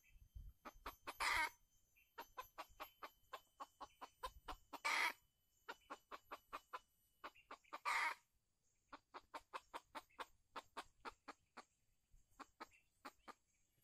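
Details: Red junglefowl during a decoy trapping session at Calang, Aceh Jaya, dated 12/02/2020: long, steady runs of quick, dry clucks, interrupted three times by a loud, harsh squawk, with light background hiss.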